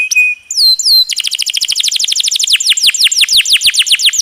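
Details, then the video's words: Canary singing a long masteran tutor song with rolling trills, opening with a steady whistled note and downward-sliding whistles, then a fast, dense roll of repeated descending notes. "Masteran Isian Kenari Super Istimewa..!!! Ngeroll Panjang"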